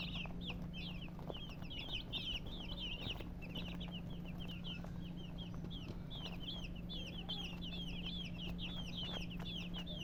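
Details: Constant shrill chirping from a group of colour chickens, brisk downslurred peeps packed closely for the whole stretch, over a low steady hum and scattered clicks.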